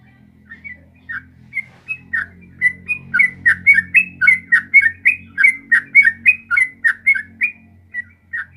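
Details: Sooty-headed bulbul in the long, rapid 'ropel panjang' singing style, played to coax caged bulbuls into answering: a bubbly run of quick, slurred whistled notes, rising and falling, about two per second, in a quiet setting.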